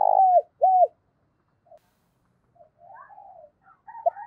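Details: Spotted dove used as a decoy bird, cooing in the morning to call the flock: two loud, mid-pitched coos with falling ends, followed by softer, fainter murmuring notes.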